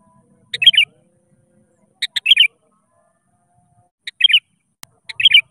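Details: A sooty-headed bulbul calls out to rivals, singing to draw other birds into song. Four short phrases of a clipped note and a rolling, chortled burst come every one and a half to two seconds, with a faint low thump.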